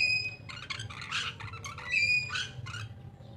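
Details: Two Taliabo lories squawk in harsh, broad bursts, broken by a high, clear whistled tone, with a constant low hum beneath.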